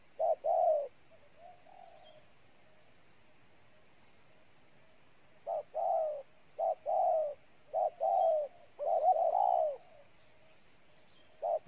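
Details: Spotted dove in Ninh Thuan, Vietnam: a couplet of coos, a long pause with faint distant cooing, then a burst of short and long coos in quick pairs.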